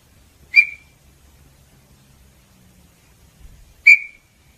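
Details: Small-billed tinamou song: two short, sharp whistled notes about three seconds apart, each with a quick attack and brief fading tail, over a quiet background.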